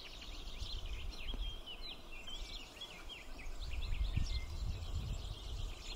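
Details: Swallows at the nest while the parents feed their chicks: a dense run of short, high chirps and twitters, many quick upward and downward flicks, over a steady low rumble of background noise.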